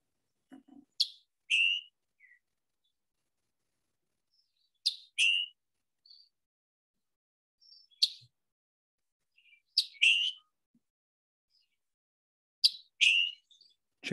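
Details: Scarlet Tanager in Iowa giving its two-part chick-burr call, usually interspersed with its song: a sharp, high chick then a lower, hoarse burr, repeated every two to three seconds against a quiet background.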